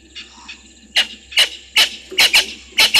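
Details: Spurfowls at Gowrie dam waterhole, Djuma Game Reserve, Sabi Sand Wildtuin, South Africa, 22 August 2023 at 17:04: loud harsh rasping notes, often in quick pairs, repeated about every half second after a faint, softer opening.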